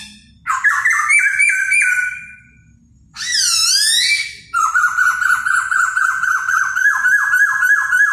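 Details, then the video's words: Laughingthrush in peak singing form, performing while dancing: a bright whistled phrase, then a swooping burst, then a fast run of sharply falling whistled notes repeated several times a second. "CHIM KHỨU CĂNG LỬA II HÓT - MÚA HAY"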